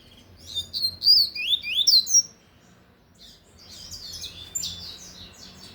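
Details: Lined seedeater singing loudly in the Tui Tui style: a fast run of high, sharply rising and falling whistled notes in the first two seconds, then a softer, buzzier stretch of jumbled twitters after a short pause.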